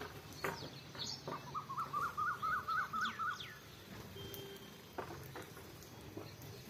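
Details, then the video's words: House sparrow chirping: a quick run of seven or eight hooked, bright notes repeated steadily, with scattered sharper chirps before and after over faint background hiss. "गौरैया चिमणी"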